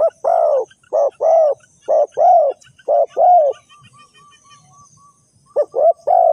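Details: Spotted dove call used as a lure for bird trapping: loud, low, hoarse coos in phrases of short and long arched notes, a pause with faint thin whistled notes, then the coo phrase resumes.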